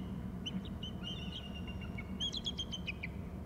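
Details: Eagles, both birds calling: a drawn-out thin whistle followed by a rapid string of sharp piping notes, set against constant low-pitched environmental rumble.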